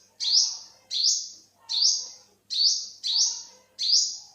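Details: Olive-backed (yellow-bellied) sunbird, Thailand, 2021, calling six times: bright, hoarse rising buzzes that flatten out, repeated regularly with short silences between.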